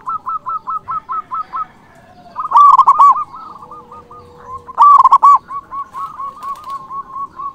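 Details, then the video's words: Local zebra dove with a loud, emotional song aimed at rivals. A neat series of eight short, evenly spaced notes leads into two loud, rich rolling coo phrases, followed by softer quick notes. "Perkutut lokal gacor Suara BESAR ampuh memanggil lawan BUNYI EMOSI manggung"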